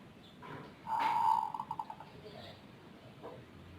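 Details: Zebra dove with an odd voice that calls often and for long spells, frequently before dawn: a soft lead-in, then a drawn-out hollow note dissolving into a quick rolling stutter of about six notes, with faint room noise.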